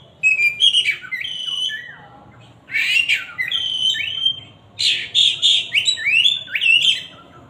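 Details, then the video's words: Oriental magpie-robin whistling loudly: phrases of clear sliding whistles interspersed with harsh, rasping notes, a brief pause midway, then a dense run of varied whistles. "siulan kacer ini kenceng"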